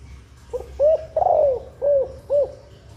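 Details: Spotted dove female giving a nesting-stimulation call meant to speed egg laying and excite males: one phrase of five low hollow coos, the middle note longest and wavering, the last two short and evenly spaced.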